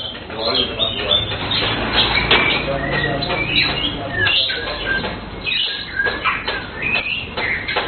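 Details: Blue cucak keling song, a melodious tumble of varied whistled and chirped phrases, some rising and some falling, crowded closely together against a steady low background hum.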